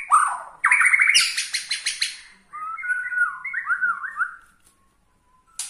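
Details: Borneo-style White-rumped shama singing to provoke rival shamas: a sharp opening note, a rapid buzzy trill, then a run of rolling, warbled whistles that fades into silence.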